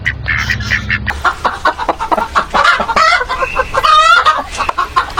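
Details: Hens feeding in a mixed farmyard flock with geese, ducks and pearl hens, giving busy overlapping clucks and harsh cackles, one wavering drawn-out squawk, and a low hum at the start.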